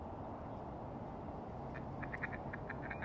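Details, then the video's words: Many ducks give short, nasal quacks in quick bursts over the last second and a half at Hedges Creek Wetlands, Tualatin, Oregon, on a Friday around 9 am, with a steady low rumble of traffic or wind; mergansers, gadwalls, mallards, pintails and others present. "Many Ducks"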